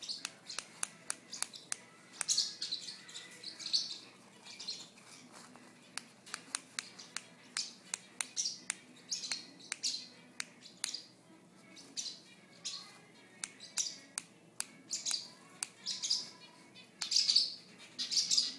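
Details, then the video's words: Pet female sun conure indoors, tearing up a napkin and clicking her beak: rapid sharp dry clicks, irregular, often several per second, mixed with short hissing bursts of ripping paper throughout. "Sun conure clicking her beak"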